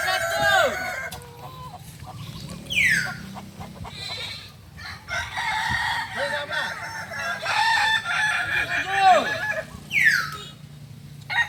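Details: At a practice meet in Solok, West Sumatra, Kokok Balenggek roosters give several long crows, some breaking into stepped, terraced notes. Sharp rising chirps cut in twice, and quiet human voices carry in the background.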